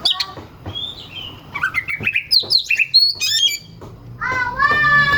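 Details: Varied oriental magpie-robin song used as a lure for rival birds. Scattered high whistles and slurred notes lead into a loud, stacked, nasal-sounding phrase at the end.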